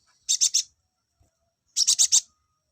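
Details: To bring male olive-backed sunbirds into breeding condition, a song of two quick bursts of four high, sharp chips each, separated by over a second of silence.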